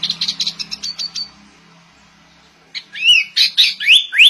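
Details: Sooty-headed bulbul with shama-style song: a fast run of high chattering notes over a faint low hum, a pause, then loud rising and falling whistled slurs.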